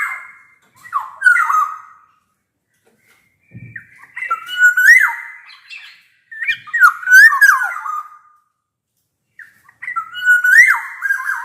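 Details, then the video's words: Black-naped oriole in full, vigorous song, loud and clear like a bamboo flute, used as a lure to make quiet orioles sing: four fluty, slurred whistled phrases with harsh buzzy edges, separated by short silences. "Suara kepodang gacor ini bisa di jadikan pancingan kepodang malas bunyi"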